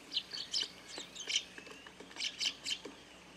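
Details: Eurasian tree sparrows crowd a feeder set on a garden grape trellis in a quiet rural setting. Short, high tweets sound in loose clusters, with a faint steady hum in the background.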